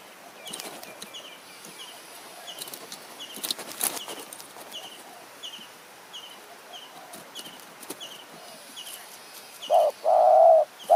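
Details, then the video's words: Decoy-luring scene in Kanchanaburi high forest, Thailand. For most of the stretch a small bird gives high, evenly spaced chirps amid rustling. A spotted dove then breaks in at the end with a short coo followed by a longer one. "ต่อนกเขาใหญ่ป่าสูง เมืองกาญ | หมายเสียงเล็ก คารมจัดจ้าน"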